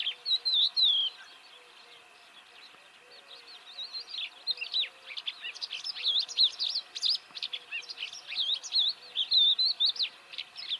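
A Crested Lark sings a quick, varied stream of clear whistles and chirpy twitters, high-pitched and rambling, with a brief pause early on.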